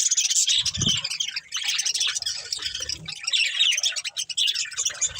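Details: Pair of breeding budgerigars chattering, a thick stream of high chirps and squeaky warbles, briefly broken by a low thump near the start and another low rumble midway.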